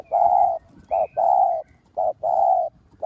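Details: Decoy spotted dove cooing to urge other doves to coo. Steady low hooted notes alternate long and short, a long coo, a short one, another long one, in an even rhythm with brief silences.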